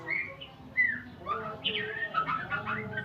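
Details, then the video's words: Shama learning sounds: softer slurred whistles and short warbles, some rising and some dropping, with a low droning background hum. "Murai pastol belajar Bunyi"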